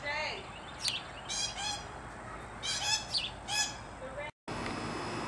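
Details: Green aracari giving rasping, buzzy notes in short bursts, about four clusters within four seconds, against a hissy background; a brief silent gap breaks the recording, followed by a louder noisy stretch.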